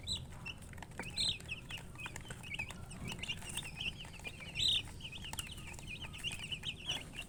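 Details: Chicks of the domestic chicken peeping nonstop, thin high chirps strung together in wavering runs, a few brighter louder notes standing out, soft hum underneath.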